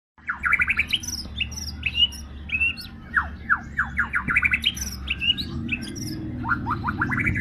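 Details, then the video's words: White-rumped shama in strong, persistent song: varied loud whistles, rapid descending slurred notes and short rising phrases, with a low hum underneath. "burung murai gacor"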